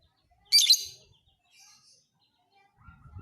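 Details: Fighter lovebird singing for training other birds: a single short, piercing, buzzy chatter burst, followed by faint high twittering and a low rumble at the end.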